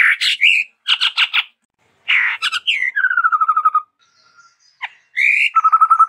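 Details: Chestnut-rumped babbler, a Sumatran endemic, singing with variations: harsh buzzy pulses, a descending run of rapid whistled notes, and a fast, even, low trill at the end.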